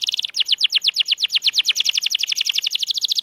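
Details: Fast canary song for prompting quiet birds to sing: a brief dense trill, then a long run of rapidly repeated high chirping notes, roughly a dozen per second, steady and bright throughout.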